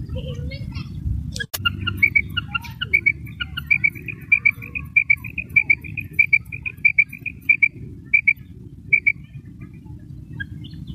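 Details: Female common quail calling, recorded during quail hunting in Pakistan: a long series of crisp, high double notes repeated about every half second over a steady low rumble, with a sharp click early on.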